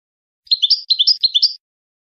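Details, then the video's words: A European goldfinch sings a quick, tinkling twitter: three near-identical, liquid, high-pitched phrases run together in about a second, clean against a silent background. "Serenading Goldfinches"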